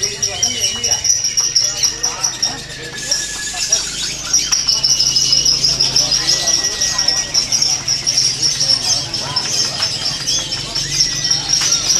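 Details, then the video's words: A lovebird at an anniversary event pours out one long, unbroken, shrill high trill, with thin whistles from other birds and a crowd murmuring underneath. "LoveBird INI SEKALI NARIK KELAR"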